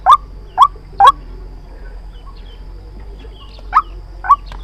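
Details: White-breasted waterhen lure recording used to trap birds: three loud rising croaks in quick succession, a gap of over two seconds, then two more spaced notes.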